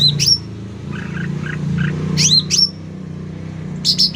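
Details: Sooty-headed bulbul in full, chatty song, loudly recorded: sharp high chirps that sweep down and then level off, arriving in short bursts, with softer mid-pitched notes between them over a steady low engine-like hum.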